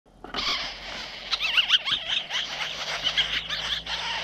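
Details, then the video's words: Young jays competing hard for food at feeding time, giving dense, overlapping high squealing begging calls with wavering, harsh notes that rise and fall continuously throughout, several birds calling at once. "The little jay is having dinner, and the competition for food is intense松鸦开饭了，抢食很激烈"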